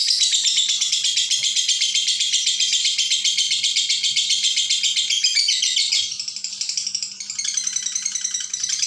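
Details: Lovebird delivering long, continuous chatter without breaks, intended as a tutor recording for young birds; a fast, buzzy, high rattling stream of notes, steady for six seconds, then slightly softer and more broken toward the end.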